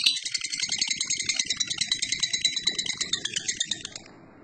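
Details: Lovebird ngekek, a rapid pulsed rattle of high scratchy notes, roughly five to six pulses per second. It carries on steadily for about four seconds, then stops abruptly.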